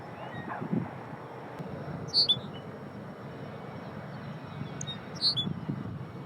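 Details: Two short high chirped notes from a Lapland Longspur near likely nest sites at the cemetery in Utqiagvik (Barrow), arctic Alaska, in June, about three seconds apart, over steady low wind and distant rumble.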